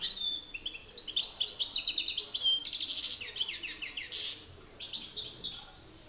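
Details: European goldfinch males in a song battle, master bird against excited bird: dense, fast twittering and buzzy rattling trills, a harsh burst, then thinner high notes.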